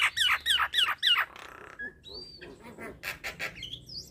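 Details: Nias hill myna delivering four loud, harsh squawking notes in quick succession, then a thin whistle and a softer string of rhythmic chattering notes.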